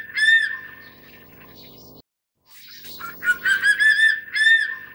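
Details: Crested serpent eagle (Spilornis cheela hoya) in Taiwan while feeding a chick, giving ringing, whistled notes, steady then slightly rising, repeated in short bursts with a brief silent break midway.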